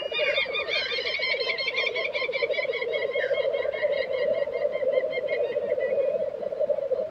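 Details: Black grouse lek at Tiveden, Sweden, April 2023: a continuous low, dovelike bubbling chorus from several males, pulsing steadily without pause, with faint higher hissing notes above.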